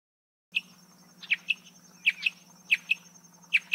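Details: Marsh antwren song: sharp high chirped notes in pairs, a fuller note then a quick clipped one, repeated about every 0.7 seconds, with a steady low hum and a thin high tone in the background.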